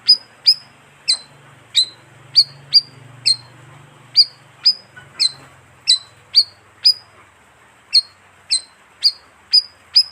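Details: Bayeman bird lure call: a rapid, steady stream of shrill down-slurred chirps with brief whistled ends, roughly two per second for ten seconds, over a low background hum; the species lives in flocks of 15 to 20.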